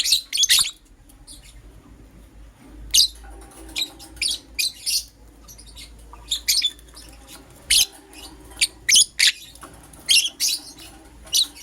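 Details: Green personata and yellow pastel pied lovebirds chirping in the morning, giving a long run of sharp, high, scratchy chirps at irregular intervals, some in quick pairs, over a low hum.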